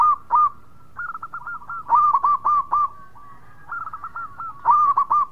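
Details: Local zebra dove singing: quick bursts of short, mellow cooing notes near one pitch, rising-falling and clustered in groups of three to five, with brief pauses between phrases and a faint steady hum behind.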